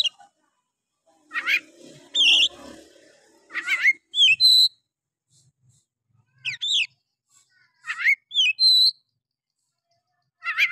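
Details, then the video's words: Oriental magpie-robin song used to provoke other males: widely spaced phrases of sharp upswept whistles and paired falling notes, with a few seconds of quiet between them and some soft background noise. "Pancingan Kacer malas bunyi. bangkitkan emosi Kacer lain"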